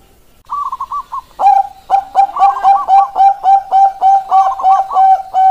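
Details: Bangkok zebra dove giving its keok kok kok kok song, used as a lure to get lazy doves singing: warbled opening, then about a dozen rhythmic, clipped coos.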